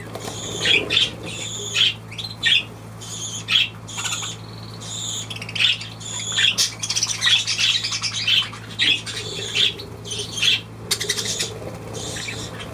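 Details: Budgerigar in long, busy warbling chatter: strings of clipped squawks and chirps, some buzzy and rasping, tumbling on almost without pause, over a steady low background hum.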